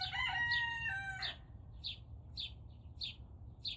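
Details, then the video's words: Turken rooster learning to crow around 5 am gives a short, thin, wavering crow of just over a second that ends abruptly. Sharp high chirps follow about every half second. "Turken sounds like dying chicken toy!"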